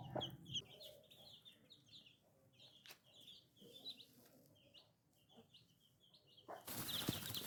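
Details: Little chicken chicks giving scattered high, short peeps in uneven bursts, with faint lower calls and a loud rushing noise at the very end.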